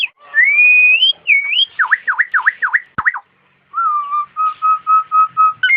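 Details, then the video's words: Nias hill myna in a masteran recording for training cage birds: a long clear rising whistle, a run of five quick downslurred notes, then a level whistled note repeated about eight times in a steady beat. "materan suara burung jalak nias"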